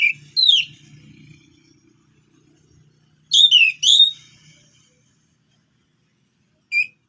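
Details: Orange-headed thrush singing relaxed phrases as a lure for non-singing thrushes: a bright slurred whistle, a pause, a double descending whistled phrase, then long silence and one short note.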